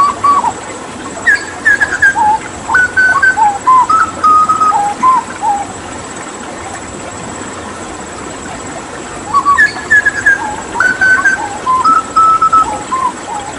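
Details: Hooded butcherbird (Cracticus cassicus) from Papua, a bird that mimics others, with water therapy; two long bouts of mellow whistled notes stepping up and down in varied pitches, separated by a silent pause of several seconds.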